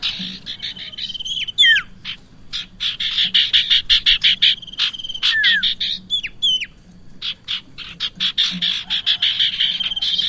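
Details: Lure recording of bar-winged prinia for bird trapping: dense, fast runs of harsh buzzy notes, occasional falling slurred notes, and a thin continuous high tone in the background.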